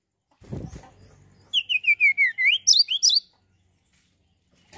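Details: Song of a mountain tailorbird meant to provoke other birds: after a low thud, a rapid series of loud downslurred whistles and quick rising chirps, closing with two sharp high notes.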